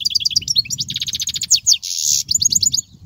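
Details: Goldfinch singing, a recording meant to teach young goldfinches: dense high twittering, a fast repeated trill, a brief harsh buzzy burst, then more bright chirping notes in quick succession.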